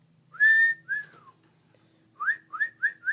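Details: Pet cockatiels calling to each other indoors: a long clear whistle and a down-slurred note, then four short rising whistles in quick succession, over a low steady hum.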